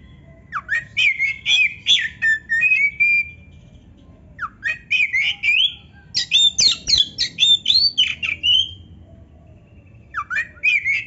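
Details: Caged Oriental magpie-robin (kacer) in lively song for rousing silent kacer; bursts of harsh scratchy notes mixed with whistled slides, several phrase groups separated by short pauses.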